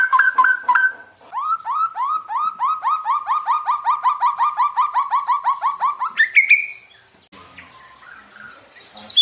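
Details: Song of a murai batu, or white-rumped shama, used to provoke other birds: a few sharp notes, then a fast steady train of repeated upswept notes that ends in a rising whistle, followed by quiet.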